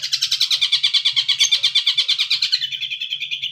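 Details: Young long-tailed shrike learning to mimic other birds, including the cililin and the tengkek buto: a fast, even series of buzzy chattering notes, about three per second, settling into a steadier harsh tone near the end.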